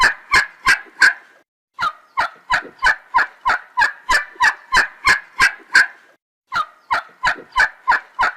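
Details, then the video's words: Short, sharp turkey notes in three runs separated by brief silences, the notes coming steadily at about three per second, with the middle run being the longest. "صوت الديك الرومي _turkish baird sound"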